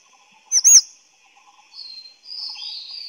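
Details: Grey-chinned minivet, a small bird with a single loud high arched whistled note, then fainter thin sliding whistles from another bird in the background.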